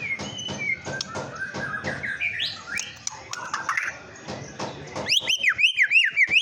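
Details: Provocation lure of white-rumped shama song: a meandering warble of mixed whistled phrases, then a loud, rhythmic string of repeated up-and-down swooping notes over a faint hiss.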